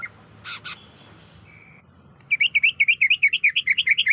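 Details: Female greater green leafbird in breeding condition calling to a male: two short harsh notes and a thin buzz open, then a fast, even run of wavering, slurred chirps about three per second.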